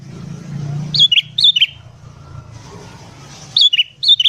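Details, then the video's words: Sooty-headed bulbul calling actively in the morning, a lure for wild birds: pairs and triplets of sharp, high chirps with falling tails, a gap, then more chirps, over steady low traffic rumble. "BURUNG KUTILANG GACOR DI PAGI HARI"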